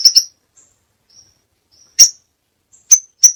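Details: Crimson sunbird in a varied tutor recording giving sparse, very high, sharp single and double chips with long quiet gaps between them and a few faint thin notes.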